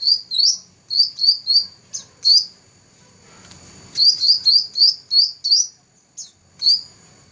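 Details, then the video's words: Black-throated laughingthrush that won first place in a 2014 competition, uttering high, clipped chirps in small clusters, a pause, then a tighter run of six repeated notes and a final lone chirp. "Burung cucak rante juara 1"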